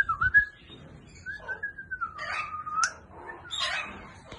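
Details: African grey parrot whistling: a short wavering whistle, then a long smooth whistle that slides gently downward, followed by a few rougher squawky notes, with low rumbling background noise.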